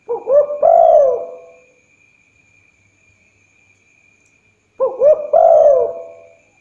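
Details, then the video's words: Night-time spotted dove lure recording with two identical phrases roughly four and a half seconds apart, each opening with quick soft coos and ending in a long falling croo, over a faint steady whine. "Tekukur/Derkuku pancingan bunyi malam hari,suaranya mantap."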